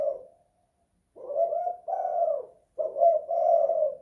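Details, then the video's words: Kuk 2 / guk 1 cooing by a spotted dove indoors: a short coo fades out, then after a gap come two swelling hollow notes and a long, steady final coo. "Tekukur kuk 2 / guk 1"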